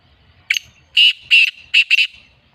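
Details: Black francolin, also called black partridge or kala teetar, giving a loud, harsh, grating call: one short rasping note, then two longer buzzy notes, then a quick double note, all in an otherwise quiet setting.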